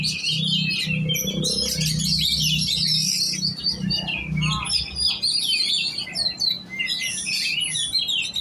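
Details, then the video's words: Oriental magpie-robin kept for song contests, giving dense high chattering and whistled phrases over a constant low droning hum. "Burung kacer giras set lomba kejar on ngunci"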